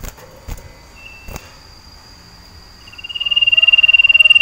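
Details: Sirtu iora in a cage, breeding and seeking a female: a few faint clicks, then a high, rapid pulsed trill that swells steadily louder toward the end.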